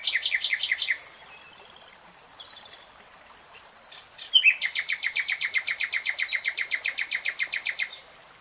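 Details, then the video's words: Common nightingale delivering a quick rattling phrase, falling quiet, then launching a long, steady series of loud, evenly spaced harsh pulses lasting over three seconds. "BEST NIGHTINGALE SONG 3 Hours REALTIME Nightingale Singing"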